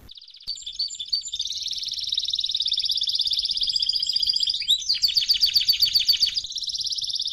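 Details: ['Canary tutoring song for teaching juveniles: a long, dense, steady high trill held for several seconds, then switching to slower, sharper repeated chirping notes before dropping to a lower buzzing roll.']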